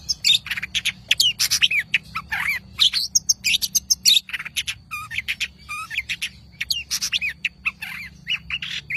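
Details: Long-tailed shrike singing a busy, varied run of sharp chirps, squeaky whistles and slurred notes at changing pitch, delivered almost without pause over a faint low background hum.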